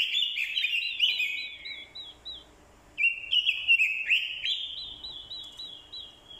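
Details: Lure orange-headed thrush in fighting song, stirred by female calls. Dense, fluty warbling with fast repeated curling notes, one phrase at the start and a longer one after a brief lull.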